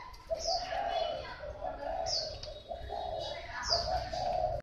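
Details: Spotted dove of the Thai type cooing: low, throaty coo phrases repeated in a steady run, with thin, high chirps from other small birds over the top.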